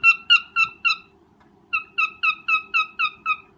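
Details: Breeding cockatiel giving its mating call: clipped, downward-sliding chirps repeated about four times a second, broken by a short silent pause before the series resumes.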